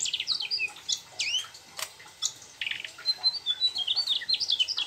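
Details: Rolling, lively song of a Mugimaki flycatcher that reportedly weaves in sooty-headed bulbul imitations; sharp high chirps, downslurred whistles and fast trilled twitters follow one another in rapid bursts.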